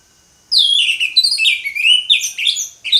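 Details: Orange-headed thrush in continuous ngeplong song, loud and unbroken: a rapid flow of clear, varied whistles and warbling slurs repeatedly sweeping up and down.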